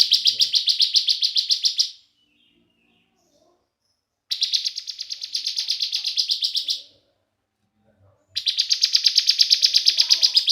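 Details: Bar-winged prinia singing energetically, used as a lure to excite other prinias into singing: three bursts of rapid, buzzy, high chirps, about four per second, each burst lasting two to three seconds, separated by silent pauses.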